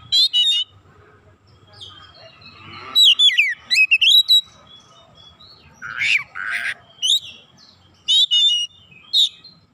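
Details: Oriental magpie-robin singing vigorously as a lure for other magpie-robins, unloading its varied repertoire: separated bursts of sharp trills, steeply rising and falling whistled sweeps and buzzy notes, with quiet pauses between phrases.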